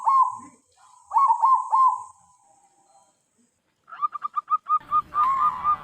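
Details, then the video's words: Zebra dove, a tame local bird used for luring wild doves, sings wavering trilled coos, then after a quiet gap a quick series of short staccato notes, with low rumbling noise at the end. "BURUNG PERKUTUT AMPUH UNTUK PIKAT"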